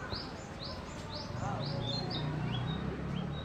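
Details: Singing male Narcissus Flycatcher in spring migration, 2014, a summer visitor in full voice: quick high upslurred whistles, rising and repeated several times a second, over a low rumbling hum.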